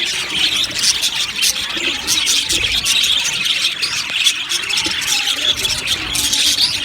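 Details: Aviary full of budgerigars producing steady overlapping squeaks and scratchy chirps, the high chatter swelling and easing slightly but never stopping.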